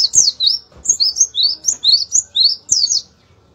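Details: Oriental white-eye singing a brisk series of high, clear, down-slurred chirps, about three per second, each sweeping and twittering, with occasional soft clicks beneath; the song stops for the final half second.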